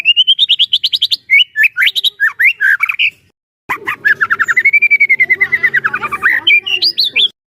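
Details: Energetic White-rumped shama song, Medan type with full fill-ins, meant to agitate other shamas into singing: a long rapid rising trill, varied slurred whistles, a pause, then another fast stuttering trill that sweeps up and down.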